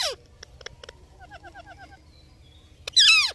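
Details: Indian ringneck parakeet with faint ticking notes, a soft series of short paired chirps, then a loud, harsh, downward-sweeping screech at the end.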